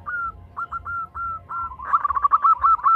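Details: Zebra dove female calling to a male: several separate, level, drawn-out coos, then a quicker rolling run of short, louder staccato notes toward the end.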